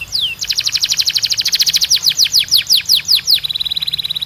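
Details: A Belgian canary delivers a single falling slur, a long rapid ringing trill that slows into swinging falling notes, then a quick even high trill at the close.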